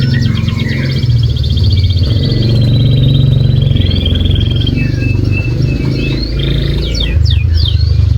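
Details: Lure song of a canary meant to prompt a quiet canary to sing, rapid rattling trills and long buzzy notes followed by quick upward and downward whistled sweeps, over a strong continuous low hum.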